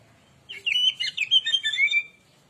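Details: Oriental magpie-robin singing as a lure to agitate other birds: one brisk phrase of warbled whistles and twisting notes, over a faint low hum.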